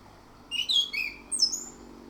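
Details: Orange-headed thrush singing in a morning lure recording for caged birds: two quick clusters of bright whistles, the first with a falling slur, the second a high thin phrase, then quiet.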